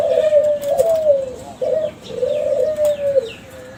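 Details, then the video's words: Calling lure from a young Kelantan spotted dove of a contest-winning line: two long, mellow, gently falling coos linked by a short clipped note, with faint high chirps of small birds in the background. "SUARA DERKUKU KELANTAN TRAH JUARA PANCINGAN SUARA GACOR"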